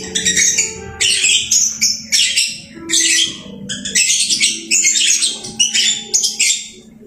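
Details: Lovebird kept at home, busy singing: rapid bursts of piercing squeaks and twittering, roughly one to two per second, with faint low tones in the background.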